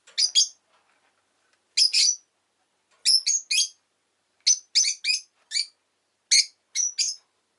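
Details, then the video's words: An orange rosy-faced lovebird (Agapornis roseicollis), recorded in its last video before it died, gives sharp, high, shrill chirps in quick pairs and triplets with short pauses between bursts. "Lovebird Chirping Sounds"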